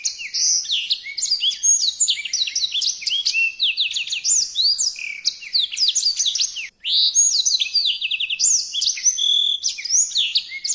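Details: Songbird in full, energetic song for tutoring cage birds: a continuous stream of varied high whistles, rapid trills and swooping notes, with one brief cut partway through.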